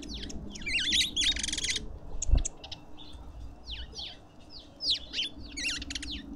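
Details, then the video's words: Lovebirds gathered at a garden feeder in suburban Pretoria, South Africa: a harsh buzzy rattle, a dull thump, then a run of sharp downslurred squeaks. "Lovebirds endlessly"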